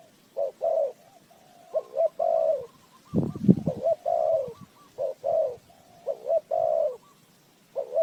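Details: Spotted dove coo used to draw birds into a trap: repeated phrases of short notes and a longer hollow coo, broken once by a loud knocking clatter, with a softer distant dove answering.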